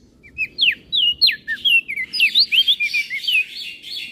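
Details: Crested white-eye from Flores in lively 'gacor isian' style, kept as a master recording for training kecial birds: quick high whistled notes sweeping up and down, soon packed into a dense chattering run, with a low murmur underneath.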